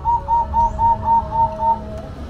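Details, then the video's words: Zebra dove, the perkutut of bird hobbyists, in full song: seven evenly spaced, clear whistled coos on one steady pitch, with a faint lower hum running underneath. "Perkutut Golden Gacor"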